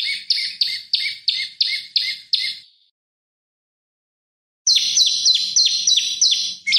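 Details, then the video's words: Prinia (prenjak lumut) lure song for magpie-robin training: a burst of sharp high chirps about three per second, nearly two seconds of silence, then a louder chirping run. "Prenjak Lumut Gacor Bikin Lawan Emosi Masteran Pancingan Prenjak Lumut Untuk Murai Batu"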